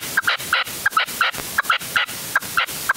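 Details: Caged decoy red-legged partridge on an afternoon hunting stand in upland Huelva, Spain, 25 January 2023, the season's first outing: harsh chattering notes in paired bursts, repeated roughly every third of a second.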